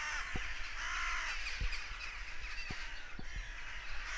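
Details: Loud, grating crow caws after a goshawk had evidently been hunting; several birds call at once in harsh, somewhat rising notes, with scattered clicks and a low rumble beneath.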